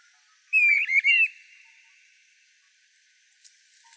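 Streamer-tailed tyrant giving one loud, wavering whistled phrase lasting under a second, then near silence with a faint click at the end.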